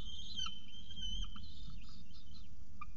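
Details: Peregrine falcon at its nest with a pigeon breakfast, 7:59 am on 24 October 2018; a sustained high whine bending slightly, then a few short soft notes over low rumble.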